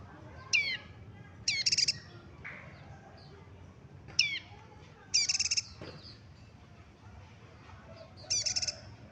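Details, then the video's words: Yellow-bellied prinia, a local Batam bird, giving quick rattling high-pitched trill bursts alternating with sharp descending chip notes, repeated every second or two, with faint chatter and low hum behind. "Suara prenjak lumut lokal Batam"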